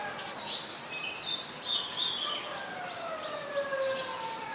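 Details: In mangrove forest at the Sirinath Rajini centre, an Olive-backed sunbird gives two high, sharply rising chips three seconds apart while other birds add long, gently falling whistles and chatter.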